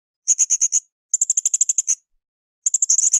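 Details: Blue-crowned hanging parrot singing actively for a cage-bird training recording: rapid, piercing high chips in three runs of about five to ten notes each, clean, with no background noise.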